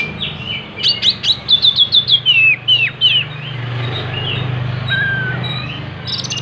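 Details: Oriental magpie-robin singing gacor while spreading its tail: about a dozen rapid repeated chirps followed by swooping, falling whistles, then a quieter stretch with a short level whistle over a low hum.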